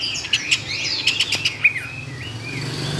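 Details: Tame caged Chinese hwamei, two years kept, a competition singer with many forest voices. Short clear whistles and slurred notes are mixed with sharp clicks over a low background hum.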